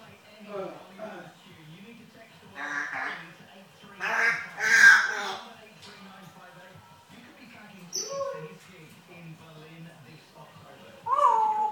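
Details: African grey parrot swearing and talking in a yam yam accent: bursts of speech-like phrases, loudest in the middle, with a short high whistled note and a sharp squeaky syllable near the end.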